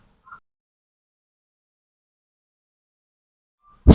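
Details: Sparrow chirping: a series of bright, high, slightly buzzy chirps repeated every half second or so, with a loud burst at the very end.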